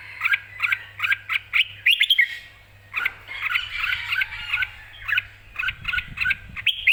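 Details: Red-whiskered bulbul, keyed up and ready to compete, in loud, clear song: brisk chirped pairs, a short burst of twisting whistles, a warbled run, then more chirps ending on a rising whistle, over a faint low hum.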